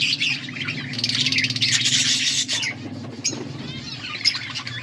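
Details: Budgies chirping, recorded August 14, 2024: dense, overlapping scratchy warbles and squeaky chirps from several birds, loudest in the first two seconds, over a steady low hum.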